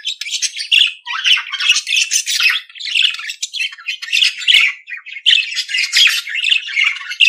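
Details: Continuous scratchy warbling from a budgerigar, harsh squawks and chirps running together with hardly a break for seven seconds, rising and falling in loudness.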